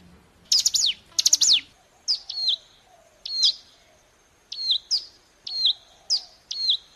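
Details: Mountain prinia song used as a lure to draw other birds into answering; two buzzy, rapid descending chatters open the clip, then sharp high chip notes with short falling tails, given in pairs about every second.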